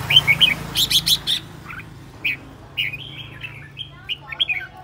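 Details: Red-whiskered bulbul kept as a decoy bird, described as aggressive and whirling about, singing: a burst of bright, slurred whistled notes, then scattered short chirps and warbling phrases with quiet gaps, over a low steady hum.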